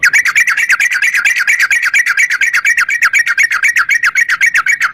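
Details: Long-trill fighting song of a yellow-vented bulbul, used to provoke other bulbuls to sing: an unbroken, rapid chatter of harsh, bubbly notes lasting about five seconds.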